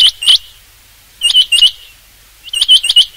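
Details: Loud, ringing clusters of three or four metallic notes from a rain quail, three clusters spaced just over a second apart, each slightly harsh and rapidly delivered.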